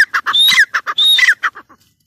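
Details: Grey francolin (teetar) calling: loud harsh phrases of clipped, squawky notes with a rising whistled element, repeated rapidly before trailing off into short fading notes.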